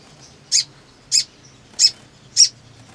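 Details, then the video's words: Black sunbird, described as lively and in breeding condition, singing continuously: four sharp, very high chips spaced roughly 0.6 seconds apart over a quiet background. "SOGON GACOR BIRAHI TERAPI MACET !! FULL NGLEPER PALING AMPUH"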